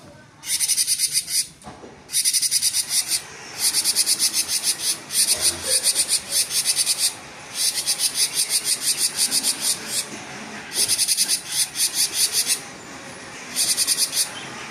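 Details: Cinereous tit in 'gacor konslet' singing mode, pouring out bursts of shrill, high-pitched, rapidly repeated notes, each burst lasting one to two seconds with short gaps between them.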